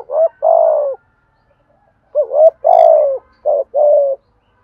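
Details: Spotted dove cooing in the 'thổ' voice style to excite wild birds and train decoys. Two low, rounded coo phrases separated by a pause, with a drawn-out buzzy note and clipped rising-falling notes.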